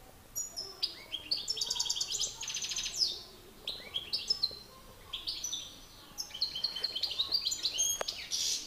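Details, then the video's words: Singing contest between male European goldfinches, a master bird versus an excited one: rapid rattling trills, tinkling twitters and high whistled notes in a continuous, rambling stream. "Battle de chardonnerets"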